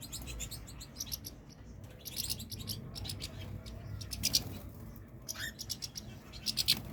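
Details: European goldfinch twittering in uneven bursts of sharp, high chirps with a few trilled notes, loudest near the end, against a low background hum.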